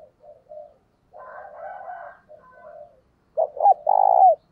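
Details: Decoy spotted dove cooing a 'thúc bổi' lure call meant to draw other doves in: soft low coos at first, then a loud, rough burst of three clipped coos ending in a long drawn note, with faint higher notes overlapping.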